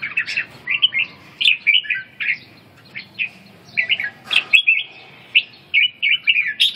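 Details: A red-whiskered bulbul in stamina recovery and ché training sings loud, clear, chirpy whistled phrases, short bouncing syllables in groups of two to four, repeated briskly throughout.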